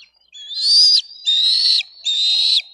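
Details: Bald eagle eaglets on a nest in Dade County, 22 May 2023, screaming and fighting over fish brought by a parent; three long, high, harsh whistled screams, each slightly rising then dropping at the end, with short gaps.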